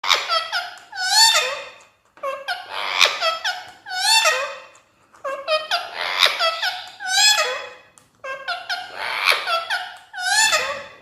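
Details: Pet Indian ringneck parakeet talking to a mirror indoors, repeating nasal, harmonic speech-like phrases in bursts every two to three seconds, with short pauses between; a small room echo and no other clear sounds.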